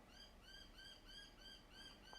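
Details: A noisy miner outdoors, heard from indoors, gives quick, repeated arched chirps at about three per second, faint over a steady indoor hum.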